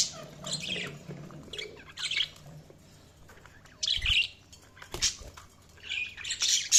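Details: Budgies giving scattered high, scratchy chirps in short clusters roughly every second or two, with quiet gaps between and a soft low hum in the background.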